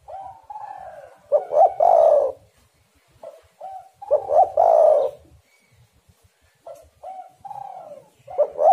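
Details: Spotted dove cooing meant to make caged doves call: loud burst of clipped notes merging into a hoarse drawn coo, repeated twice, with quieter short coos before and after.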